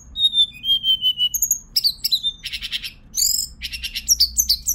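A Hill blue flycatcher sings high, thin whistles: drawn-out, slightly falling notes, then quick sweeping phrases and short bright trills over a faint low hum.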